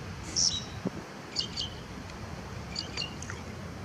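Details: Lesser grey shrike singing at Salinas del Carmen, Fuerteventura, in 2018: a few short, high, squeaky chirps and twittery notes in scattered bursts, with steady low background noise.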